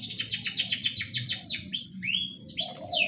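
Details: Canary singing to rouse a reluctant mate: a quick series of repeated downward-sweeping notes, followed by rising, slurred whistles and sharp chirps, with a faint low hum behind.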